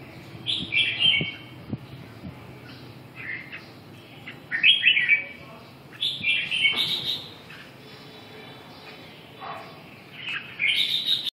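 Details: Red-whiskered bulbul delivering a series of cheerful, warbling phrases of mixed rising and falling notes, several clustered bursts followed by quieter gaps, with faint low background noise.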